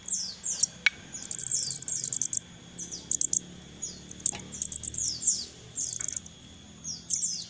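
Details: Crested jay youngsters begging while hand-fed: repeated clusters of high, sharp, falling chirps every second or so, with occasional clicks.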